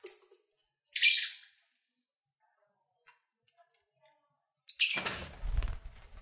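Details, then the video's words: Pet lovebirds heard as they eat and play: two short high scratchy squawks a second apart, quiet, then a longer rasping outburst with low rustling beneath it. "Lovebird Sounds"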